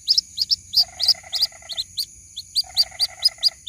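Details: White-breasted waterhen chick calling to its mother, a lure recording. Piercing peeps come about every half second, joined twice by a nasal, rattling buzz. A thin steady tone is heard in the background.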